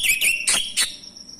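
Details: Close male orange-headed thrush, kept as a lure for non-singing birds, delivers four hard, ringing notes with whistled slides in under a second, then a thin steady high tone continues alone.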